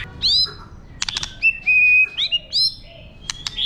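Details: A White-rumped shama sings its wild-voice song to rouse other birds: clear high whistles, upward-sweeping notes and steady flat tones alternate with rapid clicking rattles.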